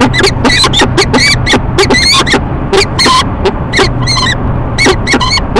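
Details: Peregrine falcons, a male and female, ee-chupping during courtship at their nest box in Rochester, New York, on a March morning; loud grating calls in fast clusters, a few longer whining notes, low background hum.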